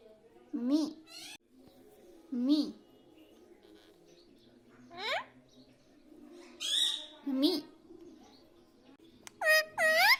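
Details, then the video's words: Pet parrot taught to say "mummy papa" and "mithu": scattered short voiced syllables with bending harmonic tones over a faint steady background hum, a few higher squeaky notes near the end. "Mummy pappa talking parrot🦜🦜 || mithu hu mithu || मम्मी पापा बोलने वाला तोता"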